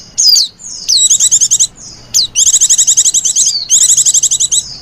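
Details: A female white-eye, its flirty 'lenjeh manja' call meant for luring white-eyes: a couple of thin downslurred whistles, then long runs of very high, rapid, buzzy trilled chips.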